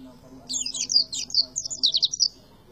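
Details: Oriental white-eye singing a single dense tembakan phrase of rapid high twittering notes, slurred and warbled, lasting about two seconds after a brief quiet start.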